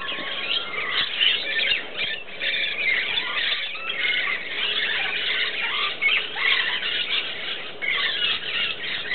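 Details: Rainbow and musk lorikeets at an early-morning pool, drinking and bathing, fill the air with constant shrill, screeching squeals and overlapping harsh chatter without pause.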